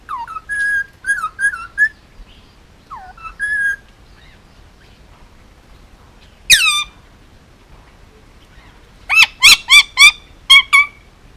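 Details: Male Indian ringneck parakeet, almost two years old, hand-raised on Oahu, Hawaii, mixing warbled whistled phrases and falling slurs with a single squawk, then a burst of five loud harsh squawks near the end.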